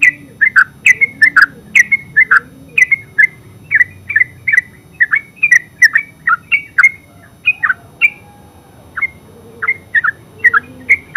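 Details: Yellow-vented bulbul, locally terucuk, in full ngeropel song: dense rapid chattering of bubbly, slightly harsh notes, slowing toward the end into spaced single chirps, over a faint low hum.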